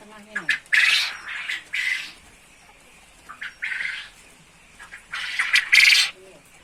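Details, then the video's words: Quail singing in the chattering 'ceketer' style, prepared for contest hanging: clusters of harsh, buzzy bursts separated by short pauses, and faint low voices between phrases. "burung puyuh gacor ceketer"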